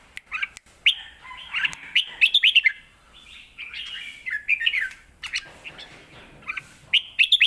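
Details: Red-whiskered bulbul kept in a cage performs a complete 'lak wai' master song for tutoring young birds. Lively whistled phrases of rapid rising and falling notes repeat with brief breaks throughout.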